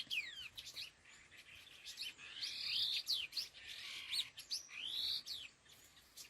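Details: Laughingthrush (khứu lùn): busy sequence of rising and falling whistles mixed with rough buzzy chatter and rapid ticks, several phrases overlapping at a quick pace.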